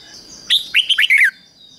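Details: Red-whiskered bulbul used as a decoy to lure wild birds, singing one short, loud phrase of about five rich, rolling whistled notes that fall at the end.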